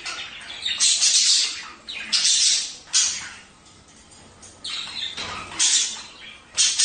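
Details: Budgerigar chatter to encourage mating: bursts of rasping, high squawky warble come in waves about once a second, with a softer lull midway.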